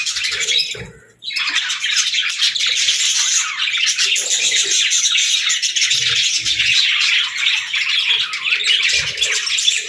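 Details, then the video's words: Budgerigar kept as a pet gives a long, unbroken stream of high, rattling warble and squeaks after a short pause, with occasional soft bumps in the background. "Parrot Sounds | Budgie Videos"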